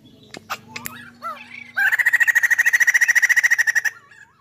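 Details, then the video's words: Chinese hwamei singing: a few varied slurred and looping whistles lead into a loud, rhythmic trill of about three to four notes per second that runs for two seconds before fading. "POKSAY HONGKONG GACOR DURASI PANJANG"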